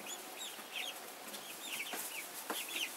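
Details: Hen and chicks of domestic chicken: brief sequence of high, slightly downslurred chick peeps, a few overlapping calls, and a couple of soft thuds or rustles beneath.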